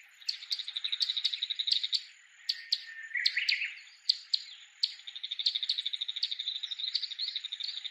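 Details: A bull-headed shrike near an ancient Japanese castle site sings with a unique voice while waving its tail, a fast, scratchy chatter of high notes in rapid trills, broken by sharp clicks and a harsh rising phrase.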